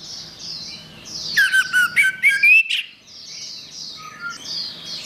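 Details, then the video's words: Orange-headed thrush singing gacor for training songbirds: soft high chatter, then a loud phrase of buzzy, descending and rising slurred whistles lasting about a second and a half, before quieter twittering resumes. "Suara Burung Anis Merah | Gacor"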